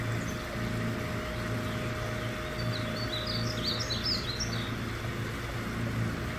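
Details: A male Painted Bunting in northwest Fort Worth, Texas, gives one quick, high, sweet warbled phrase lasting about two seconds, half-buried under a steady low engine-like hum.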